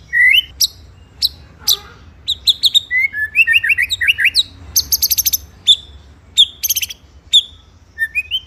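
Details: White-rumped shama song used as a master recording for training other birds, a rolling 'ngeroll nembak' style: rapid varied whistles, rising slurred notes around the middle, buzzy rattled bursts and sharp high chips in quick succession.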